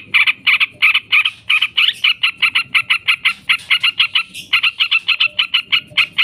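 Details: A Yellow-vented bulbul (trucukan) gives a long, unbroken chatter of bright, harsh notes, about four or five a second, with no other sounds; the recording is offered as a lure to set other bulbuls calling.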